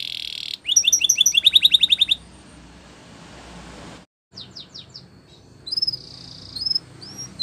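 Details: Spanish Timbrado canary giving a short buzzy note and a quick run of sharp repeated chips, followed by a long quieter stretch with a few scattered notes and whistles.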